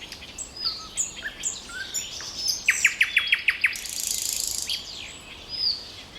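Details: Common nightingale trill: quiet varied whistles, then a fast burst of about eight identical sharp notes, then a buzzy phrase, with other birds faintly chirping.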